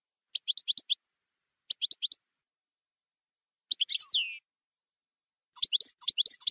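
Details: Campero-style song of a European goldfinch: short bright twittery phrases separated by pauses, one phrase ending in a drawn-out buzzy nasal note, then a final quick tinkling run. No background noise.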